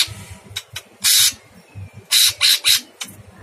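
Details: Sooty-headed bulbul masteran with an extremely harsh voice: a long grating burst, then three loud raspy notes in quick succession, with faint ticks and a low droning hum throughout.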